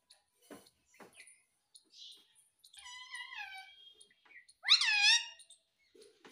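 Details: Indoor pet ring-necked parakeet, stated to be talking "Mummy Mummy"; soft clicks and murmurs, then a drawn-out wavering tone, and a loud, rough, bending squawk near the end.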